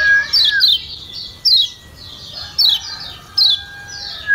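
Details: Lombok yellow white-eye calling 'ciak ciak' to coax a lazy bird into song: high descending chirps in pairs and singles roughly every second, over a faint steady lower tone.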